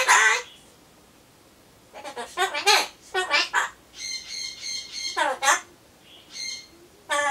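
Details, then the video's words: A captive Solomons corella chatters alone while waiting for its pumpkin, repeating farewell phrases such as bye-bye, I'm going. Rapid raspy syllables and nasal, tonal bursts follow each other, with brief quiet gaps. "ソロモンオウムたろちゃん カボチャを待ってる間のひとり言"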